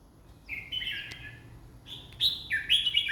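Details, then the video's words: Red-whiskered bulbul, said to sing 20 phrases in one minute, gives clear whistled phrases: a warbling run mid-clip, then brighter, louder sliding whistles near the end; quiet background. "ร้อง 20ดอก ใน1นาที #เสียงนกกรงหัวจุก"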